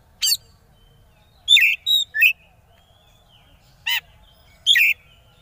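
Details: Oriental magpie-robin song used to goad rival birds: short, separate bursts of harsh chirps and downslurred whistled notes, about six phrases spaced irregularly with silence between.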